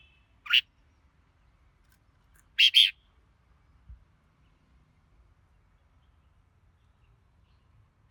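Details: A red-whiskered bulbul gives a sharp single note, then after two seconds a loud, quickly doubled note, followed by a long silence and a final note cut off at the end.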